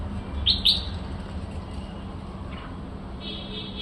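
A bulbul gives two quick, bright chirps, then a fainter note and a short, higher warbled phrase, over a steady low rumble of background noise.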